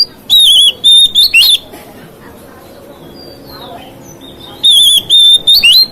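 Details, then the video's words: Kacer, the oriental magpie-robin, sings to stir up rival magpie-robins: two loud clusters of rapid, wavering high whistles and sharp upslurs, separated by a three-second pause with faint distant chirps. "KICAUAN KACER MEMICU EMOSI KACER LAIN"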